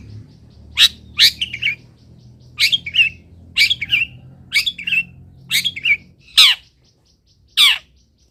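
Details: Tutor song of a long-tailed shrike for training other birds. Paired sharp chirps are followed by slurred downward twitters in uneven clusters, then two isolated harsh notes near the end, over a low background rumble.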